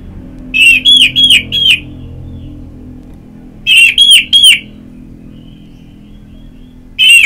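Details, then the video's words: Therapy recording of Orange-headed thrush song for stimulating singing: loud, clear whistled notes in groups of three or four, each bending up then down, the groups separated by pauses of two to three seconds. "Pagi Siang Sore Terapi Ngeplong Untuk ANIS MERAH Malam ya Tidur Merangsang untuk Bunyi"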